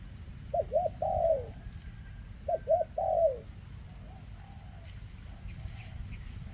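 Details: Spotted dove with a trembling leg, singing in the dense 'rước' style: two short rising coos and then a long, falling, drawn-out coo. The phrase comes twice over steady low rumbling hum.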